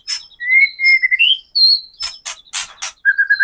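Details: White-rumped shama song meant to provoke captive birds: clear sustained whistles rising in pitch, then harsh rasping bursts and a quick repeated whistled trill.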